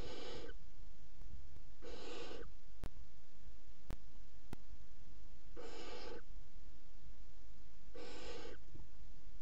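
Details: Young barn owls, three chicks together, feeding on a mouse at 01:30, 30 June 2016. Four harsh, snoring hisses of about half a second each, given at uneven intervals, with a few sharp clicks between them.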